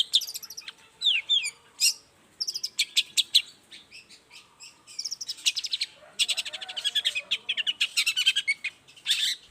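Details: Varied morning song of a long-tailed shrike, used to lure other shrikes to respond: quick rising whistles, clipped chirps and long rattling trills, busy and almost continuous, with faint low noise underneath.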